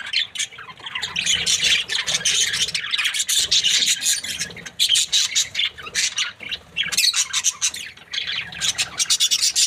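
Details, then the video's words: Chirping from an Australian budgerigar breeding pair described as happy: dense, scratchy high chatter with rapid overlapping chirps and squawks running almost without a break. "Happy budgie chirping sounds"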